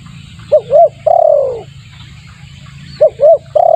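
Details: Spotted dove lure call, used to attract other doves: two short rounded coos followed by a long, drawn-out, gently falling coo, then the phrase begins again near the end; steady low hum underneath.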